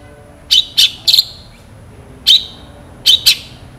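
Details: Long-tailed shrike singing in full, with sharp 'shot' notes: quick harsh, rasping high bursts, three close together, then a single burst, then a rapid pair, over a quiet background.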